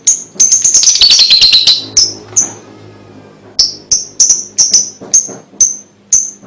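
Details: Lovebird song, its calls used to stimulate young birds: a dense rush of rapid, scratchy notes, then evenly spaced sharp, high chirps after a short pause, roughly three per second.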